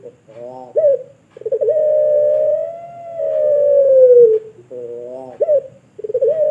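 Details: Pelung Barbary dove, a bird farm bird from Sragen, Indonesia, giving its long coo for tutoring other birds: a short pulsed, stuttering opening, then a long, smooth, low hooting coo lasting about three seconds, repeated.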